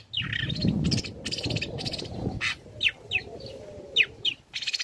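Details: Young long-tailed shrike singing as a lure to provoke other shrikes: harsh, scratchy descending notes in short bursts over a steady low rumbling background.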